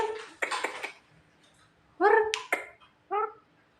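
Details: Javan myna described as smart and funny, giving short harsh nasal calls in rich harmonic bursts, three groups spaced over a few seconds, with background music indoors.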